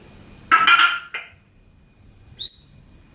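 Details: Pet African grey parrot indoors making funny sound effects: a harsh, buzzy burst, a short click, then a high, clean, falling double whistle.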